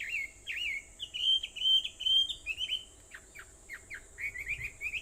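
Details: Dawn birdsong on Aobayama, Sendai, Japan, recorded at 4:30 a.m. on 21 July 2014: bright sustained whistles at first, then short sharp downward chips and a fast rippling trill, with a constant high-pitched hum behind.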